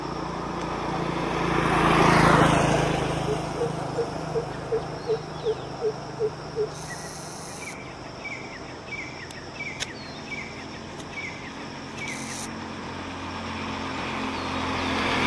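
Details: Greater coucal, far from the camera and recorded on a Sony WX500, gives a deep, evenly spaced series of about eight hollow hoots, roughly two per second, after a passing vehicle. Higher repeated chirps from another bird follow over steady background hum.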